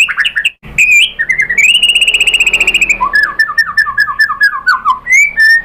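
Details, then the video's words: White-rumped shama (murai batu) song used as a lure to provoke other shamas into singing. Loud, varied phrases: a sustained rapid trill followed by a run of quick descending whistled notes and sharp high chips. "pancingan JITU ‼️ MURAI BATU spontan EMOSI NYAUT jadi GACOR BONGKAR MATERI ISIAN ¦ SHAMA BIRD"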